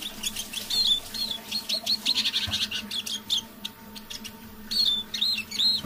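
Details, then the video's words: Captive decoy Eurasian siskin singing under its breath at evening; a chattering stream of short notes and rising-falling whistles, pausing mid-way, then resuming with clear slurred phrases, low hum in the background. "Песня моего манного чижа"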